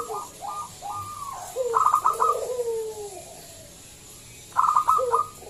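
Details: Zebra dove singing loudly as a lure for other doves: short clipped coos, a rapid stuttering trill, then a long falling coo, with another trill burst near the end.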